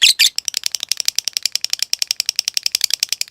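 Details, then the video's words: Lovebird training recording: two loud harsh notes, then a quick run of dry ticking clicks at an even pace, thinner and quieter than a full trill. "Masteran Suara Burung Lovebrid Ngetik Ngekek Panjang Materi Mewah"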